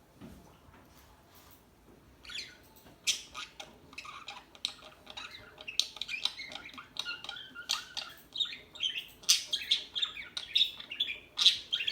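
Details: Small birds twittering. Scattered faint high clicks and ticks open the passage, then it builds into a busy, dense run of sharp chirps and squeaky notes that grow louder toward the end.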